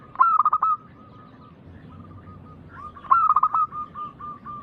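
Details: Local zebra dove with a loud, big voice, used as a lure for other doves. Two bursts of rapid staccato coos come three seconds apart, each trailed by softer, evenly repeated coos.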